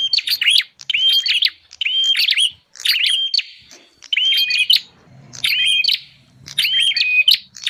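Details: Bar-winged prinia lure sound aimed at wild prinias: six separate bursts of sharp chirping with short held whistles, spaced about a second apart, a faint low hum in the background.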